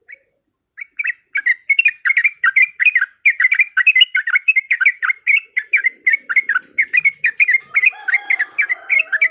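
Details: Lure of a yellow-vented bulbul singing its fighting song: after a few opening notes, a long, steady rattle of bright, bubbly chirps, with a faint lower tone toward the end.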